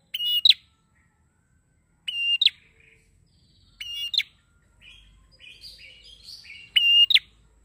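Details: Prinia singing as a bird-training lure: harsh buzzy phrases with flicked endings spaced about two seconds apart, while softer chirps and twitters from other birds and a low rumble fill the gaps.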